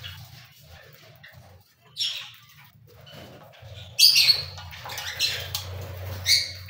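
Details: Cockatiel giving a few short, harsh squawks and chirps. Sparse at first, the calls come in a louder, more active burst in the last three seconds.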